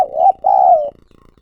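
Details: Spotted dove used as a lure bird, calling. Two low, smooth coos: a short first note and a longer, slightly falling second note. The room is otherwise quiet.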